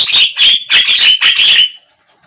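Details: Javan myna song aimed at a mute bird: a loud, continuous harsh grating stream of buzzy bursts lasting over a second, then fading away.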